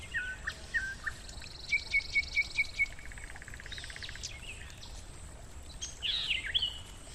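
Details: Nightingale in forest near a stream, delivering a varied phrase: a few scattered notes, a quick run of about seven evenly repeated clear notes, a dry rattling trill, then a burst of complex chattering, with water gurgling throughout.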